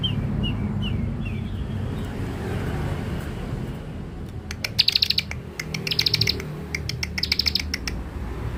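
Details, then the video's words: Young bar-winged prinia (ciblek dakun) kept as a lure bird; after a few soft falling notes, loud sharp chirps come in quick bursts of three to five, over steady low background hum. "Ciblek dakun muda pikat mantap"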